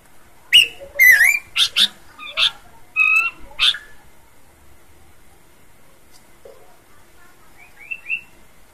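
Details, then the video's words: Bush babbler singing its characteristic song: a quick run of loud, varied notes mixing sharp chips, warbled whistles and downslurs, followed by a pause and a soft series of three rising whistles. "Burung pelanduk semak suara khas"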